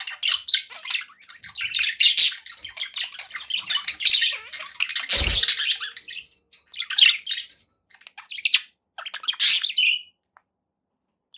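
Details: Pet budgies chirping and warbling in broken bursts, with a sharp knock midway, then quieter scattered chirps and silence at the end.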